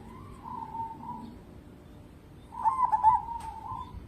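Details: Local zebra dove singing, used to coax other birds into singing: a quiet wavering coo first, then after a pause a louder rolling run of staccato cooing notes that trails into a sustained soft coo.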